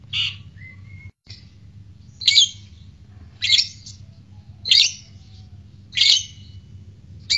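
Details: Lovebird from a recording used to stir courtship and singing; harsh, loud squawks are repeated about every 1.3 seconds, each short and abrupt, with a faint thin whistle near the start.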